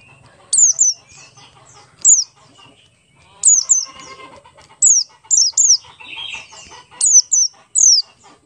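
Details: Buxtoni Oriental white-eye singing ngalas style as a lure for other white-eyes: bright, steeply descending whistles, single or paired, in irregular bursts, with faint twittering and rustling beneath.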